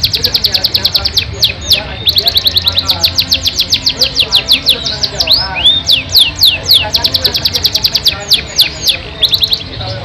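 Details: Ten seconds of long-duration Yorkshire canary song: rapid rolling trills, bursts of descending whistled notes and rising slurs flowing without pause, a faint hum underneath.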